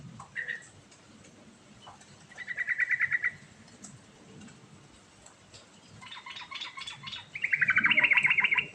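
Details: Yellow-vented bulbul singing in the rolling 'ngerol' style, used to call other birds into replying: bursts of rapid bubbly trilled notes, alternating with quiet pauses, ending in a longer, louder chattering trill.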